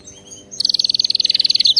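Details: Canary singing for training: after a quiet start, a bright, very rapid rolling trill of even high notes runs steadily to the end, with a brief twist at the finish.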